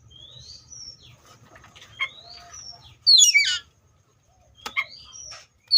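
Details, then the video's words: Seychelles magpie-robin singing: thin whistled slurs, then a loud harsh buzzy burst of notes, a quiet gap, more short rising whistles and a final sharp phrase. "COPSYCHUS SECHELLARUM BIRDS SOUNDS LIKE IN NATURE LOUD CLEAR SOUNDS"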